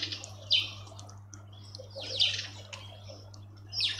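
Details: Karoo thrush at a bird bath in a suburban garden in Pretoria, South Africa: three high, thin, downslurred chirps spaced about one and a half seconds apart, over a steady low hum.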